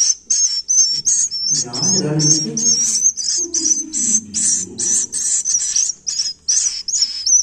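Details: Swiftlet chicks calling: a rapid, steady string of thin, high chirps, about two or three a second, running throughout. Low, murmuring tones rise underneath in the middle.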